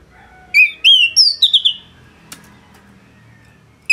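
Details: Caged orange-headed thrush in full song for tutoring other songbirds: five or six quick whistled slurs that fall and flutter, followed by a silent stretch and a brief click.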